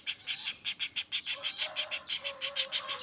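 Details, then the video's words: Juvenile common flameback giving a quick series of scratchy, buzzy notes, about three per second, with faint whistled tones from another bird in the background. "Suara Pelatuk Bawang Anakan Roll speed tanpa jeda"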